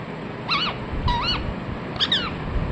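A rose-ringed parakeet gives three harsh, rising-falling screechy chirps about every three-quarters of a second, over low background rumble.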